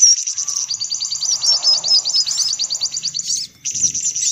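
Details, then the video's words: Sunbird lure call used to attract sunbirds: rapid, dense high chattering trills in a continuous run, a brief pause near the end, then the chattering resumes. "Suara Pikat Burung Kolibri Paling Manjur"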